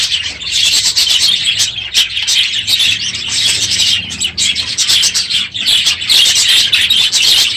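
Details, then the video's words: Budgerigars crowding an aviary at the end of the breeding season, unusually noisy one morning: continuous high chattering, warbles and sharp chirps layered from many birds, with no pauses. "My Budgies Today - NOISY birds this morning!"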